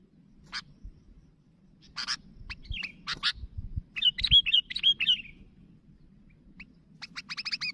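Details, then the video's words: Sooty-headed bulbul in full voice, calling to others: scattered sharp clicks and short chirps, then a quick series of clear, looping whistled notes, ending in rapid ticking chirps, with a faint low hum beneath. "Suara Burung Kutilang Gacor Memanggil Kawan"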